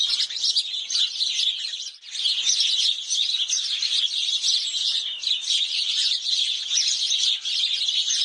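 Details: Bathing house sparrows at Mettur Dam, filmed with a Canon 5D Mark IV, keep up a busy flock chorus of sharp, overlapping chirps and tweets. The chorus thins briefly near two seconds before resuming steadily.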